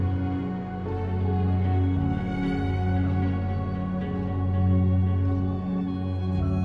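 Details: Slow, sustained ambient music with deep tones and soft swells, no animal sound present.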